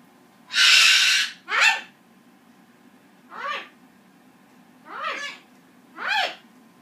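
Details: A Green-winged macaw sings a duet with a Goffin's cockatoo that grows impatient and screams when not rewarded: a long raspy screech, then four shorter, strained, arching squawks about a second or more apart.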